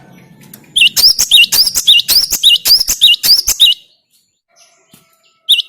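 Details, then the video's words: Cinereous tit (gelatik batu) lure song: about three seconds of evenly repeated, high, clear two-part whistles, then near silence, with one more note at the very end. "Makin Edan gelatik batumu setelah dengan suara ini"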